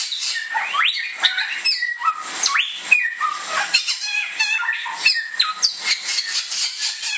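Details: Bare-throated whistler, an Indonesian native bird locally named samyong, pours out a dense, varied whistled song. Clear rising notes, level tones and brief chattering bursts follow one another rapidly.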